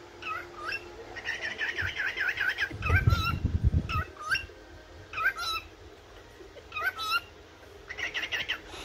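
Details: Yellow cockatiel in a morning bout of chirping: a short wavering warble, then spaced rising whistled chirps in pairs, and a closing warble, with a loud low rumble midway.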